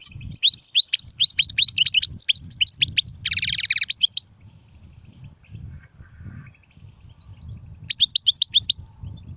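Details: A European goldfinch sings sirfati, gzirati and tsersir styles: a long chattering stream of quick, high chirps capped by a wheezy buzz, a quiet stretch of low hum, then a brief renewed twitter.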